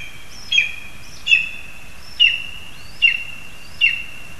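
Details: A series of five shrill, slightly rising-then-falling yelps, spaced under a second apart, from Lesser spotted eagles in a spruce in Zemgale, Latvia, as a frog is brought to the young. A steady hissing background runs throughout.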